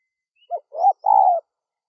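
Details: Cooing of a spotted dove, used to call in wild doves: a brief note, a rising coo and a drawn-out level coo in one phrase. Faint high chirps in the background.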